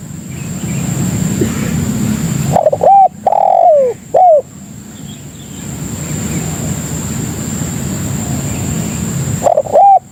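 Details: Spotted dove lure call to attract other doves: a loud three-part coo phrase with a long descending middle note, several seconds of low rumble, then the beginning of another phrase, against a constant high tone.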